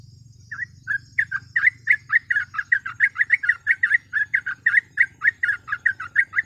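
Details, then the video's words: Sooty-headed bulbul in lively rapid 'ropel' singing, used as a training master and lure for other bulbuls: a quick chain of short warbled notes, roughly four per second, steady throughout, over a faint low hum. "TRUCUK GACOR ROPEL MASTERAN PANCINGAN BURUNG TRUCUK"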